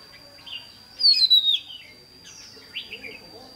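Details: Caged red-whiskered bulbul working as a decoy for trapping wild birds, 28 May 2016: a loud, clear downward-sliding whistled phrase with a warbled ending, then softer twittering notes.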